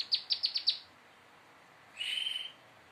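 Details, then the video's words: Prenjak lumut prinia practising its nembak song: five quick, high, descending chips in a rapid row, then a pause and a half-second buzzy, rattling trill, with nothing else heard. "Prenjak lumut belajar nembak istimewa"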